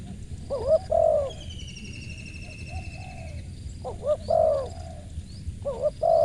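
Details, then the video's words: Crisp, mellow cooing from a spotted dove: stuttered double notes leading into a longer coo, repeated three times about every two and a half seconds, with a drawn-out high whistle sounding between the first phrases. "TAPAU TEKUKUR SUARA MERSIK"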